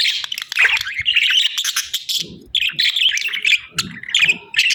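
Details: Chirping budgies: rapid bursts of bright, squeaky warbling notes separated by brief gaps, with soft low rustles between phrases.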